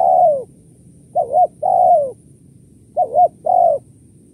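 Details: Spotted dove lure call, kuk 1-2 type: a trailing long coo, then two complete phrases of paired short coos leading into a longer, gently dropping note, steady and clear.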